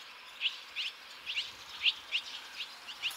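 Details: Barn swallow chicks at fledging, five from a single nest departing within two and a half minutes, prompted by young from other nests. Bright, rising chirps repeat about every third to half second, some doubled.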